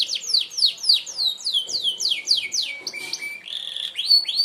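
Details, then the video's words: Merlok canary in sharp shot style, song meant for tutoring other birds: a series of loud downward-sweeping whistled notes, then a flat buzzy stretch and a few more falling sweeps. "tembakan tajam kenari merlok"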